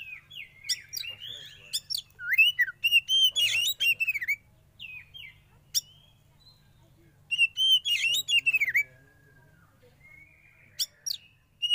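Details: Young forest-caught Oriental magpie-robin in sauna therapy, delivering rich, fast, warbled phrases of bright whistles and chattering notes in two bursts, separated by quieter single chips.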